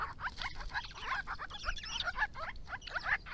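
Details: Resident Grey-crowned babbler family in Victoria at water in hot summer weather, drinking and diving while calling to each other: busy overlapping chatter of short rising and falling squeaks, near-continuous, over faint low rumble.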